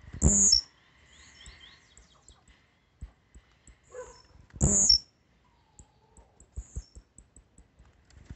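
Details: Blue-black grassquit singing a great deal: two short, loud high buzzy bursts about four seconds apart, with faint high chips and scattered clicking knocks between them.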